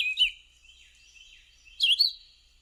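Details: Red-eyed Vireo, summer resident at a preserve in Cedar Hill, Texas, singing two short, slurred whistled phrases about one and a half seconds apart, high and clear, with faint background hiss.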